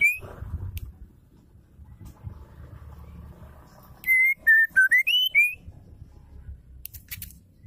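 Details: Singing female white-rumped shama, used as therapy for silent or stressed male birds: an opening high whistle, a pause, then a quick phrase of pure notes dipping and rising again, over low murmuring background noise.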